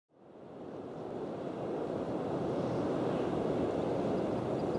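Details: Steady roar of ocean surf and wind buffeting the microphone, building over the first second and then holding constant, with no animal calls.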